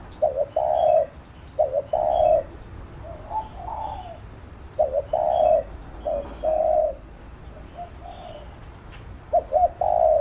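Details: Spotted dove cooing to stimulate a decoy bird in training: around six phrases over ten seconds, each short notes then a drawn-out low coo, separated by quiet gaps.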